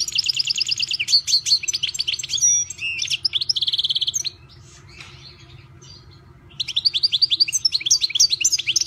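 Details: Kept European goldfinch in full song: fast, liquid, high-pitched twittering runs mixed with a buzzy, drawn-out note, a short near-silent pause, then another rapid tinkling phrase over a constant low background hum.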